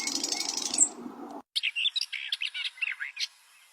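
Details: Bluethroat singing a varied run of twittering, slurred notes and clicks after a burst of rushing noise that stops abruptly.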